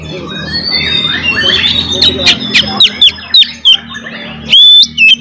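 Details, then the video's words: Oriental magpie-robin in provoking fighting song: a soft tangle of warbling and chatter gives way to spaced, louder clipped notes, then a strong high whistle sweeping upward near the end. "SUARA BURUNG kacer gacor NGEPLONG TARUNG"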